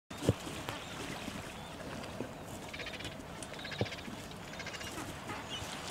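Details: Gentoo penguin chicks, two downy young at Orne Harbor chasing an adult just ashore to be fed, give faint, bleating, reedy begging calls in short bursts over steady wind and surf, with a couple of sharp thuds.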